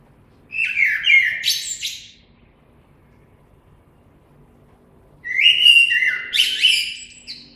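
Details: Two whistled blackbird song phrases, each a low fluty opening rising into scratchy high notes, about three seconds apart in quiet surroundings.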